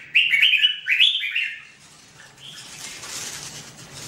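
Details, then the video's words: Red-whiskered bulbul giving a rapid run of loud, liquid chirping notes for over a second, then falling quiet while a soft broad hiss takes over. "The Sound Of The Birds Singing Wonderful: Birds Red-whiskered bulbul"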